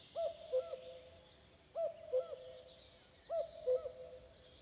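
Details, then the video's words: Common cuckoo with slightly unusual cuckooing, singing on a May evening in the woods of Vändra, Pärnumaa, Estonia. Three two-note cu-coo phrases, each a high note falling to a lower one, repeated about every 1.6 seconds. Faint high birdsong continues behind. "Kägu. Linnulaul."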